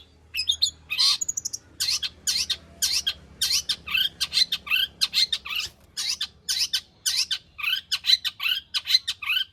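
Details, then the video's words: Long-tailed shrike, a lure recording to draw out singing, with a full varied repertoire: a loud run of short harsh notes and buzzy chatters repeated in quick bursts with brief gaps, all high-pitched, over a faint low hum. "burung cendet gacor FULL ISIAN pancingan Cendet AGAR BUNYI Cendet Bongkar Materi"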